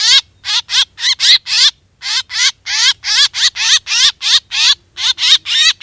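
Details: Black drongo calls for lure hunting: loud, grating notes with a warbling rise and fall, repeated in quick succession with one short gap.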